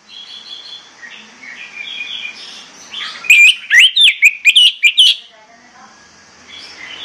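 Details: Orange-headed thrush morning song, played to excite birds into singing: soft warbled phrases at first, then a loud run of about seven sharp, rising whistled notes in quick succession before fading back to quiet background warbling.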